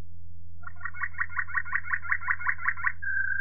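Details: Waterslager Malinois canary in 2018 giving a quick series of about twelve gurgling, water-like notes, roughly five per second, that ends in a short pure sustained tone; background hum.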